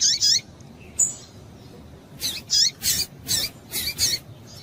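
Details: Female double-collared seedeater calling to stimulate males: a quick pair of high, sharp chips, a pause, then a run of about six bright, down-slurred chip notes in close succession over steady low background hiss.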